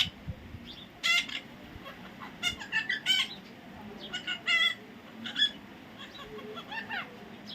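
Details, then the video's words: Busy bout of scratchy squawks and chattering calls from a baby parrot, irregular and varied in length, some in quick clusters. "natural funny parrot sound"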